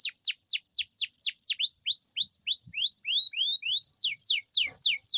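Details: Canary singing a long rolling song meant to coax reluctant canaries into song: a rapid series of high whistles dropping steeply in pitch, shifting to a run of rising, upslurred notes, then fast descending whistles again.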